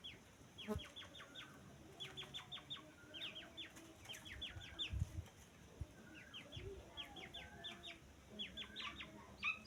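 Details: Grey francolin (teetar) chicks calling: rows of thin, falling whistled peeps in bursts of three to five, separated by short pauses. Occasional low knocks and rustling are heard.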